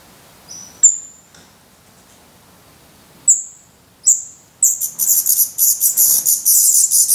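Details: In a Black Redstart nest in Portugal, 17 May 2020, hungry feathered chicks give a few isolated thin rising whistles, then break into a continuous shrill begging chorus during the last seconds.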